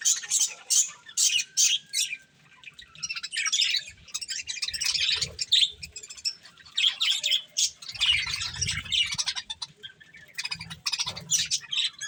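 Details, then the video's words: Pet budgerigars eating corn give bursts of sharp high chirps, first in quick separate pulses, then longer warbling runs, with soft rustling below. "Cute Budgies Enjoying Eating Corn | Love Birds Chirping Sounds"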